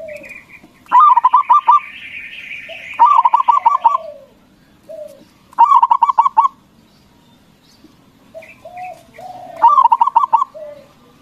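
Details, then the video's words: Local zebra dove singing loudly, a lure song meant to stir rival doves into answering; four bursts of rapid, staccato cooing notes roughly every three seconds, with brief softer coos and a higher buzzy chatter between bursts. "Perkutut lokal Gacor Suara BESAR bikin Cepat Emosi Lawan Auto Nyaut Seketika"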